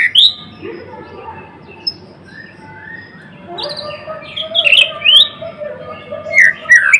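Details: White-rumped shama (murai batu, blorok type) singing vigorously: a sharp high whistle, a quiet stretch with soft warbles, then loud bursts of rapid chattering and slurred whistled notes near the end.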